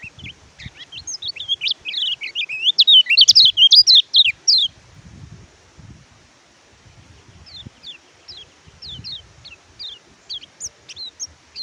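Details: Oriental white-eye song from a tutor recording for birds slow to sing: a loud, dense burst of rapid high twittering for about four seconds, then quieter, evenly spaced downslurred whistled notes repeated roughly every half second.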